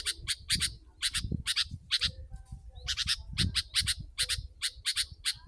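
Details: Sooty-headed bulbul lure recording meant to draw in wild birds: rapid clusters of sharp, bright chirps in bunches of two or three, over a steady low thumping background noise.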